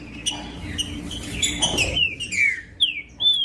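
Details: Green-winged saltator song meant to stimulate other birds: blurred notes at first, then from two seconds several clear whistled slurs, descending and then rising, over background hum.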